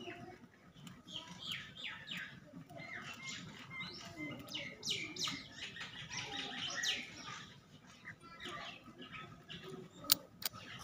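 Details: Young black francolin chick of Pure Sindhi breed giving rapid, irregular high-pitched chirps and short squeaky notes, clustered in bursts through the middle with a few sharp clicks near the end.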